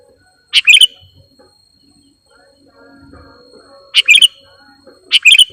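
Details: Sooty-headed bulbul lure call for attracting birds: three separate bubbly chirp phrases, the first alone and the last two about a second apart, with faint murmuring sounds between.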